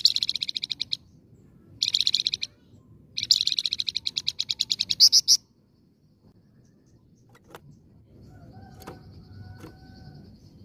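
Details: Flamboyan lure song, a lively bird: three bursts of rapid, buzzy, high trilled notes, the last longest and ending in a sharper series of strokes, then quiet with a few faint distant calls and low background rumble.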